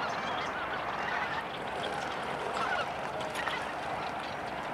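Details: Tundra swans in a large flock in Yolo County, a steady chorus of overlapping mellow hoots and yelping honks that never pauses, with no other sounds standing out.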